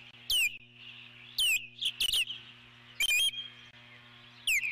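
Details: Eagle on its nest giving an alert call as a large intruding bird flies past, recorded 12 July 2014: high, sharp notes sweeping steeply downward, in short bursts about every second, over a steady low electrical hum.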